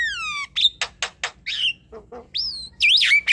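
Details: Javan myna (jalak kebo) at night with a descending whistled slide, crisp clicks, low grunting notes and bright looping whistles sweeping upward near the end.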